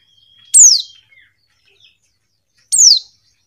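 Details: A female Buxton's white-eye calls for a male with a pair of thin, high, downward-sweeping chirps about two seconds apart; a faint steady whistle-like tone and soft ticks sound between them.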